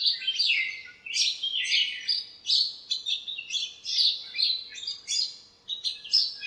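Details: Crowd of birds in a backyard lemon tree on a sunny morning, chirping during playful fights; steady streams of bright, sharp twitters, each burst lasting under a second.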